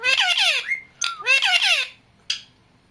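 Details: Talking pet parrot lets out two rasping, harmonic squawks that slide downward, a short whistle between them, then a single sharp click.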